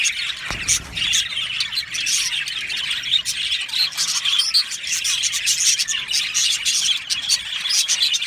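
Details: Contented budgerigar colony in its aviary, an unbroken mass of high, fizzy chirping and warbling, with a brief low knock near the start.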